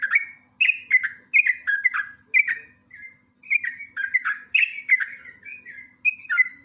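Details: Sooty-headed bulbul sings as a lure for other bulbuls: lively, continuous chatter of liquid, falling whistled notes grouped in short bursts, with one brief pause midway and a soft hum in the background.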